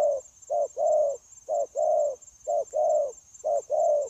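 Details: Wild-caught spotted dove recorded 9 January 2024 during trapping, cooing in a smooth continuous series: deep two-note phrases, short then long, evenly repeated about once per second, with a faint persistent high-pitched tone.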